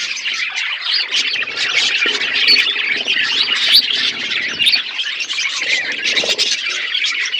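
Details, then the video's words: Outdoor aviary of budgerigars eating: a steady wall of high, rapid chirps and twittering warbles from many birds at once, busy and unbroken throughout, with occasional sharp clicks. "Budgies parakeet eating food in outdoor aviary birds chirping sound"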